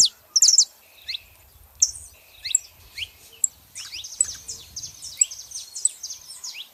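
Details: Saffron finches, a female and a male, give sparse, high, thin chirps and short downslurred notes, with a faint low rumble underneath and a looser cluster of notes near the end.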